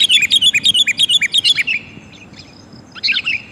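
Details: Sooty-headed bulbul female calling to the male, used as a lure: a quick regular string of about a dozen identical bright chirping notes, then a faint pause and a final short burst.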